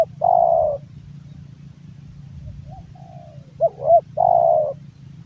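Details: A hobbyist's male spotted dove gives a long purring coo, a soft faint pause, then two hooked rising notes and another long level coo, against a low droning hum.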